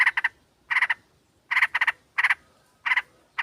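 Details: A female sooty-headed bulbul calls for a male, played as a lure. Grating chatter comes in short groups of rapid notes, about one group every half second or so.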